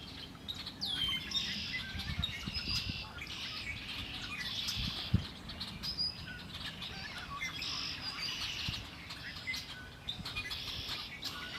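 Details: Several birds singing by Lake Erie: dense high trills and chirps in repeated bursts with a few sharp descending whistles, over a steady low rumble.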